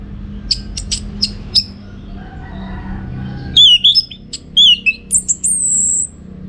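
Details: Orange-headed thrush singing in contest-training style: four spaced high chips, then a fast run of swooping whistles falling in pitch, ending in a long thin high whistle, with a faint low hum behind.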